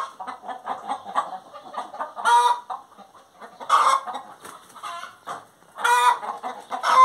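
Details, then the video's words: Hen singing with soft quick clucks that build into three loud, harmonic, drawn-out cackles spaced about two seconds apart. "Galinha Cantando"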